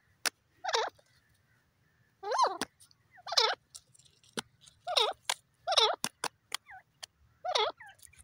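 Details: Partridge (teetar) repeating harsh, looping squawks roughly once a second, interspersed with sharp clicks, against a faint low mechanical hum.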